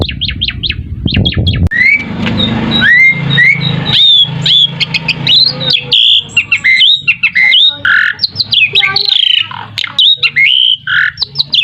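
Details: Asian pied starling singing, a lure recording meant to prompt other birds to call back. It opens with rapid clipped notes, then mixes rising whistles, falling slurs and rough squawks over a faint low hum.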